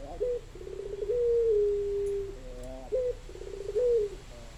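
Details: Puter dove cooing. Rolling, pulsed low notes lead into a long, steady, slightly falling coo, then short rolled phrases repeat, with faint low hum behind.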